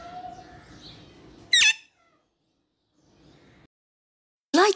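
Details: Bonded adult pair of captive Alexandrine parakeets in Karachi, male semi-tame and prone to whistling when in the mood; two very loud, piercing, downward-sweeping screeches about three seconds apart, with quieter room noise before and between.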